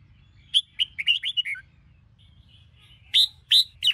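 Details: Red-whiskered bulbul of the Sông Kôn type, kept for song training in the morning: a burst of bright whistled notes rising and falling around 0.5–1.6 s, then loud sharp chirps near the end, with quiet low hum between.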